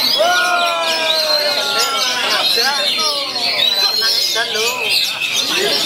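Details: Oriental magpie-robin singing at a songbird contest in Wiradesa, Pekalongan, Central Java, 14 July 2024: a rich, nonstop run of whistles, sliding notes and harsh chatters, overlapped by other chirping, applause, music and faint voices.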